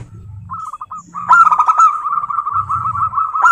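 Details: Local wild zebra dove opening with a few soft coos, then breaking into a long, loud, unbroken run of rapid rolling notes lasting over two seconds, with low rumble behind.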